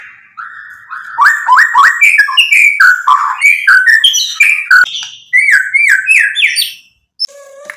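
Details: Vigorous White-rumped shama song with mimicked fill-in phrases, played to anger rival shamas into singing back: fast strings of rising whistled notes and sharp chips, several per second, ending in a brief pause and a low note.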